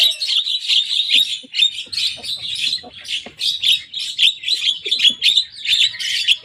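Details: A young Javan myna imitating rivals' songs in a steady, rhythmic series of loud, rasping, buzzy bursts, roughly two to three per second, held at a similar pitch with little variation.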